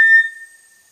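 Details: A small dark tinamou of tropical lowland rainforest understory gives one short, flat whistle at a steady mid-high pitch that fades quickly; its song is this whistle repeated about every four seconds. No other sounds.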